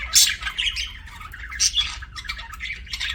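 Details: Pet budgerigar chirping: scratchy, squawking warbles in bursts high up, with brief louder chirps near the start and middle, over a faint low background hum.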